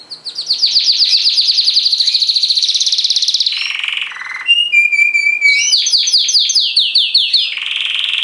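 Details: Canary song of long rapid trills, dropping into lower buzzy rolls, then clear flat whistles and another quick descending trill series, loud and continuous throughout.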